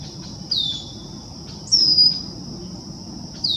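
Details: Male Red-winged Blackbird at the top of a tree, College Park, Maryland, June 2024, gives three high, thin, down-slurred whistled peeps about every one to two seconds over a steady, shrill insect drone.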